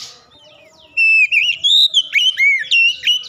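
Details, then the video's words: Kacer, or Oriental magpie-robin, singing with its beak opened wide: after a near-silent start, a continuous run of loud clear whistles, sliding and looping up and down in quick succession. "sekali dengar Kacer langsung gacor ngeplong buka paruh dengan lebar"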